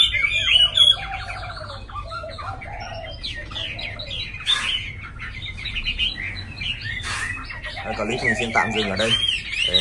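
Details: Tame caged Chinese hwamei in Hanoi, Vietnam, sings rapid chattering phrases among sharp knocks, with a burst of lower rolling notes near the end and background noise.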